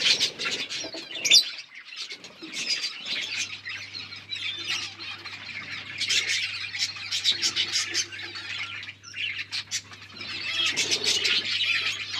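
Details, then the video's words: A long run of lovebird mating chatter: bursts of harsh, buzzy squawks and high twittering that swell and fade, with one short pause near the start and a faint steady hum underneath. "Lovebirds non-stop mating | Lovebirds mating sounds"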